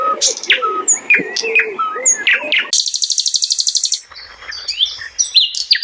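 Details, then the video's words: Wild flycatcher (sikatan londo) singing busily: a varied run of sharp whistled notes, slurred upsweeps and low warbles, then a fast buzzy trill of about a dozen even pulses, ending in bright high chips. "SIKATAN LONDO LIAR GACOR"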